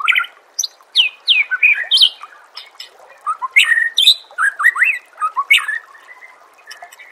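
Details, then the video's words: White-rumped shama singing energetically, recorded as training song for contest birds: rich whistles and swooping slurs mixed with sharp high chips, two dense bursts separated by a brief pause, ending in softer sustained whistled notes. "Suara Masteran Murai Batu Gacor"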